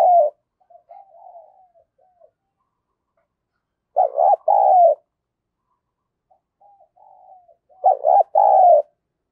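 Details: Decoy spotted dove calling in the "thổ thúc gù" style to lure other doves. Loud paired coos come about four seconds apart, separated by quiet, fluttering low murmurs.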